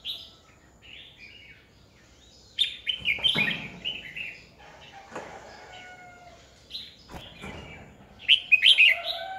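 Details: Decoy Red-whiskered bulbul singing to provoke rivals in training, 2020. Soft chirps build into a loud warbled phrase, a quieter middle with a few thin whistles, then a final bright burst of rapid notes.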